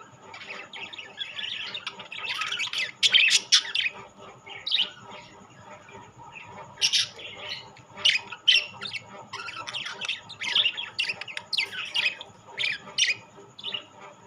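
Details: Rainbow and classic budgerigars in a mixed flock, loud clustered squawks and chirps at the start, then a short lull before the chattering and warbling picks up again in quick irregular bursts.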